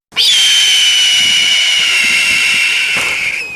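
A red-tailed hawk gives one long, hoarse, high scream lasting about three seconds. It holds steady and then drops away at the end.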